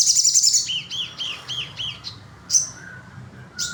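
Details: Sogon singing: a burst of high, thin chirps followed by a run of short arched notes that rise and fall, then sparse sharp tweets and a brief thin whistle; faint low hum underneath.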